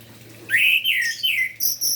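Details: Morning song of an orange-headed thrush, played to spur other thrushes of its kind to sing: a short run of bright, slurred whistled notes falling and rising, followed by high thin trills.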